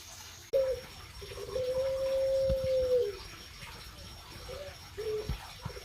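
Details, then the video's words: Dove calling at night: a low, steady, drawn-out hooting note held about one and a half seconds after a sharp click, followed by two shorter low notes, over quiet background rumble. "suara burung puter di malam hari"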